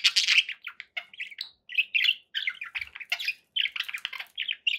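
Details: Chattering pet budgerigars: a fast run of scratchy warbles, clicks and short squawks, packed tightly with only brief silences, loud from start to finish.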